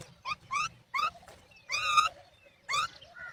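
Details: Mother myna calling her chicks to come and feed while the young stay silent; five loud, harsh, rising calls rich in overtones come in short bursts about half a second apart, with a faint low rumble beneath.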